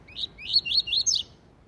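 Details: Double-collared Seedeater song used for training (encarte) captive seedeaters: a quick run of four or five high, slurred whistled notes, each sliding up then down, packed into just over a second.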